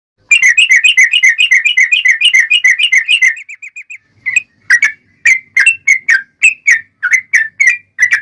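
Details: Yellow-vented bulbul in vigorous 'ropel panjang' fighting song, used as a lure to make other bulbuls answer: a fast run of bubbly notes about four a second, a brief pause, then looser, spaced chirping phrases.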